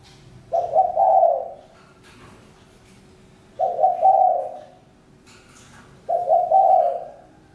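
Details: Three evenly spaced spotted dove coos, about every two and a half to three seconds, each a low, throaty phrase with a brief stuttered start and a drawn-out ending.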